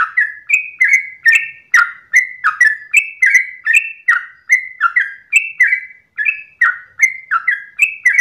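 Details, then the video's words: Sooty-headed bulbul in long dawn ropel song: unbroken series of clear, slightly slurred whistles hopping between high and low pitches, about three notes a second, evenly loud throughout, no other sounds. "ROPELAN TRUCUKAN Terbaik subuh pagi hari"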